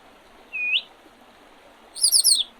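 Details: Spring birdsong along the Oredezh River in Leningrad Oblast, Russia, on 8 April 2023: a single rising whistled note, then a quick run of four high descending chirps about a second and a half later, over soft steady background noise.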